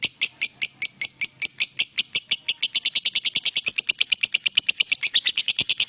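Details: Long 'ngekek' trill of a lovebird, kept as a master recording for teaching: a sustained run of high, harsh chattering notes that starts spaced and speeds up steadily into a fast, dense rattle over six seconds.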